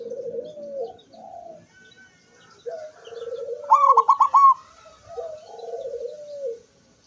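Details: Zebra dove singing on 24 September 2023 with beak open: soft low coos, a purring phrase, then a strong higher trill of about five notes, followed by further low coos.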